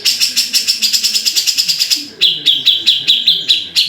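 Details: Grey-cheeked bulbul (cucak jenggot) giving rapid, evenly repeated harsh chips, about four per second, first high and bright, then after a brief pause dropping slightly lower and louder; quiet background.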